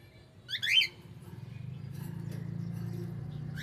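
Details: Pet cockatiel giving a short burst of bright, rising chirps lasting about half a second, over a steady low hum filling the rest of the recording.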